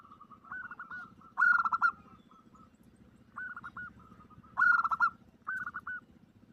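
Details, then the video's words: Zebra dove female calling a male, used as a lure: stuttering, trilled coos, twice rising into a loud burst of rapid notes, between softer runs of short repeated notes, over a low steady hum. "suara pancingan perkutut omyokan"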